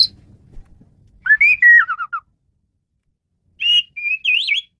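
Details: Male Asian pied starling, played to train birds, delivers a loud whistled phrase that rises then steps down, and after a pause a warbling whistle that wavers up and down.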